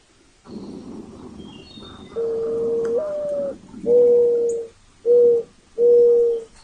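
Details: Mourning dove giving its full cooing phrase: a low coo that lifts in pitch, then three hollow, even coos with short pauses between, over a quiet hum and distant bird chirps.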